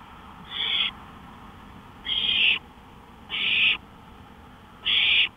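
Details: Owl on a porch in the early hours, 1:53 AM, May 5, 2013: four noisy, breathy screeches, each under half a second, about 40 per minute at uneven intervals.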